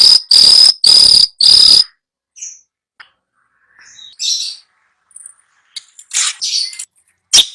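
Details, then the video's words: Long-tailed shrike song used to get a silent bird singing: four loud, whistled harsh notes in quick succession, then quiet with scattered faint chirps and squeaks. "Masteran Cendet Males bunyi"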